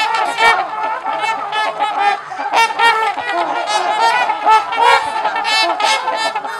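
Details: Socializing trumpeter swans, LaSalle Park, Ontario, Canada: continuous chorus of harmonic, horn-like honks from several birds, calls tumbling over each other with rapid short notes.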